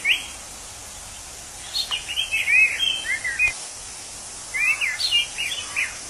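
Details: An orange-headed thrush in its natural habitat, a bird said to sound drunk, sings two phrases of warbled slurred whistles, the first after a soft opening note, amid a constant insect buzz.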